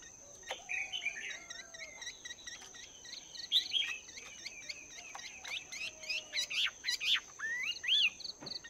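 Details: Chinese hwamei kept two months in a cage, practising its song in the morning: varied loud whistled phrases and rapid repeated hooked notes in quick bursts, with a constant thin high-pitched hum behind.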